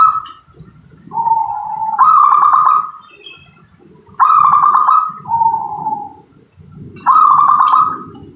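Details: Local zebra dove song, repeated in three phrases about every three seconds. Each phrase is a lower, level purring coo, then a louder, rapidly trilled staccato burst, over a constant high whine and soft background rustle.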